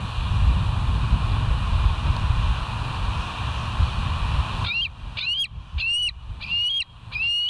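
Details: Bald eagles at the West End nest on a live nest camera, recorded 07/05/2023 at 06:18; after steady low rumbling background noise, a rapid series of high, sharp chirping notes with slight inflections, about five within three seconds.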